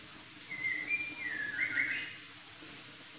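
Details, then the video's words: Chinese hwamei from southern China producing a drawn-out whistled phrase that slurs downward and wavers, followed by a brief high note after a pause, with steady background hiss. "Kicau Burung Hwamei Wambi Gacor"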